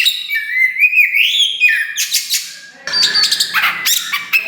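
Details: Kacer wulung (Oriental magpie-robin), described as loud and prolific, only just starting tail-pushing display; clear, loud song with a rising whistled phrase, then buzzy, harsh bursts and quick varied notes.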